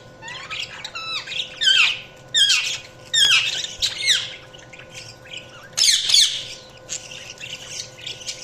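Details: Budgerigars chirping: a busy stream of bright warbled chirps, squawks and rapid chattering notes from several birds, rising and falling sharply in pitch, arriving in bursts about every half second to second, with a steady electrical hum underneath.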